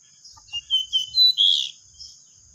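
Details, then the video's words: Pied bushchat, one of three singing 'ngeplon' at home as if at a contest: short whistled notes rising in pitch and loudness, ending in a stronger, slurred whistle, with a steady high whine and faint low knocks behind. "3 BURUNG DECU NGEPLON"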